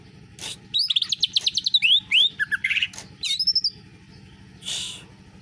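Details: Canary-style singing from a greater green leafbird: a fast, varied run of high whistled strokes and trills, some sliding downward, then a few separate bright notes and a short buzzy burst over a quiet background.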